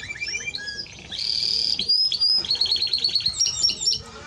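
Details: Timbrado Español canary delivering a dense buzzy burst followed by rapid clipped repeated notes and high whistled accents.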